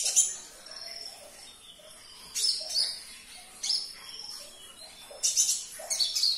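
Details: Olive-backed sunbird (kolibri ninja) singing, meant to trigger a silent caged bird: sharp high chirp bursts with thin sustained whistled notes between them, in phrases about every 1.3 seconds.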